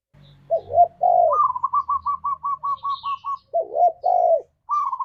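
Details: Spotted dove in forest-style (ngalas) song used as a lure for caged doves: two low hollow coos, then a fast run of about ten short higher notes, then two more coos and a brief rapid run; faint chirps from another bird.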